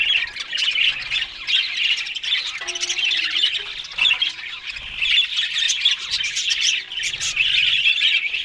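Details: A group of Australian budgies feeding on green food in the morning: loud, continuous scratchy chirps and squawks forming a busy, even chatter, with a faint low tone midway.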